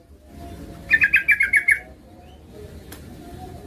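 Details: Yellow-vented Bulbul female calling the male as a lure; a short series of seven quick chirped notes, then steady background hiss and a faint low hum.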